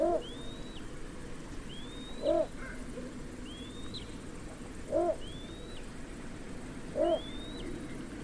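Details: Little bittern giving short, deep, croaking hoots, each with a faint higher overtone, repeated about every 2.5 seconds; a thin rising whistle from another bird sounds between them over steady background hiss.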